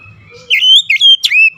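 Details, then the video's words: Oriental magpie-robin giving a brief clear whistled phrase: a long level whistle, a short dip, then a sharp upward flick and a falling note. "KICAUAN MENAIKAN EMOSI KACER"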